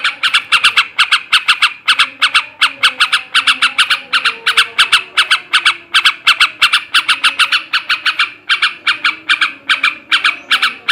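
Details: Ngebrem ngekek garuda song of a male yellow-vented bulbul, used to lift breeding drive: nonstop harsh cackling, rapid scratchy notes in tight groups over eleven seconds, faint humming in the background.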